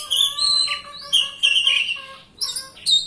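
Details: Oriental magpie-robin lure song to stir a silent bird: long clear whistled notes, a sliding dip, and bright high chirps after a short pause.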